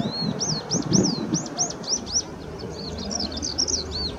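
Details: Eurasian skylark singing by the Ōhori River on 22 May 2016: a fast, continuous string of bright arched whistles, each note repeated several times before shifting to quicker, varied twittering, with low rumbling noise underneath.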